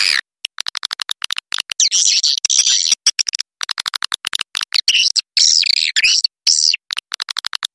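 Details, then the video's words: Roosting lure call of edible-nest swiftlets: rapid trains of dry ticking clicks, some quick and steady, interrupted by short bursts of high, shrill, buzzy chirping. "SUARA BURUNG WALET PANGGIL INAP"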